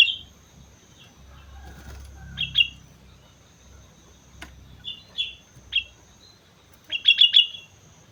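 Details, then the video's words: Sooty-headed bulbul singing actively (gacor) on Mount Slamet: scattered short bright chirps, then a quick burst of four ringing notes near the end, over a quiet low rumble. "suara burung kutilang gacor gunung slamet"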